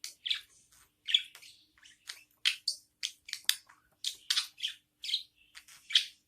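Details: Begging budgerigar chicks, newborn, being fed by their mother: rasping squeaky chirps repeated roughly twice a second, each a short buzzy burst, some louder and sharper than others.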